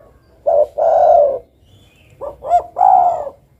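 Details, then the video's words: Brief stretch of spotted dove song: the end of one long husky coo, then a full phrase of two short rising notes and a sustained falling coo, over a low background hum. "suara burung derkuku"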